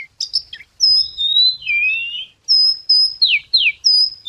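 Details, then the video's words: Lure recording of a singing white wagtail: long level and gently falling whistles mixed with quick downward-swept notes in short phrases separated by brief pauses, with a clean, quiet background. "Tiếng chim Chìa Vôi hót hay mồi chuẩn"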